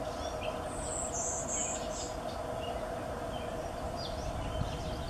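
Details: Male golden-winged warbler (Vermivora chrysoptera) at Normanskill Farm, Albany, New York, on 2 May 2020, giving a very high, thin buzzy phrase of three or four drawn-out buzzes, over a low rumble and faint chirps of other birds.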